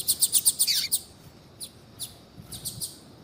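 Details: Female Double-collared Seedeater calling so a male will sing: a rapid string of about seven loud, high chirps in the first second, followed by a few fainter spaced chirps against quiet hiss.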